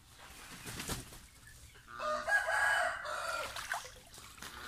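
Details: Young pet domestic goose during a bath, a single drawn-out, strained nasal call lasting over a second, rising then falling, with soft splashing before and after.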